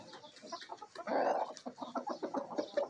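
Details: Backyard flock of chickens, a Bielefelder and Golden Cuckoo Marans mix rooster with Marans, Araucana, Easter Egger and Olive Egger hens, in a feeding frenzy: rapid overlapping clucks and murmurs, with one louder drawn-out squawk.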